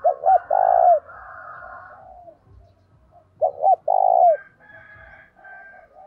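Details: Spotted dove in full voice, calling to lure wild doves: twice a pair of quick notes leads into a long falling coo, each phrase trailed by softer, lower cooing.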